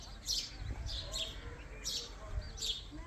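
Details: Young ringneck parrot gives rapid, high, raspy chirps in clusters roughly every half second to second, over a steady low rumble of room noise.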